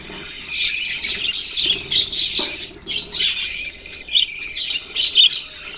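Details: Several budgies kept together, recorded November 6, 2023, keep up a continuous high scratchy chatter, busy warbling with squawky notes and a few sharp chirps standing out near the end.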